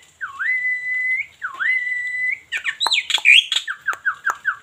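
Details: Black-winged myna from Cianjur producing long, steady whistled notes that dip and rise, followed by loud harsh squawks and a run of short descending slurred whistles.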